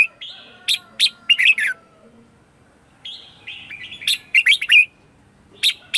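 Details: Red-whiskered bulbul lure song, morning 'ché' style, meant to call wild birds. Brief chirpy, slightly nasal phrases with a drawn buzzy note between bursts, ending in a fast cluster of bright warbles.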